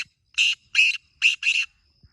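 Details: Black francolin (kala teetar) call: four harsh, grating, buzzy notes in quick succession, the last two close together, over a near-silent background with a faint steady high tone.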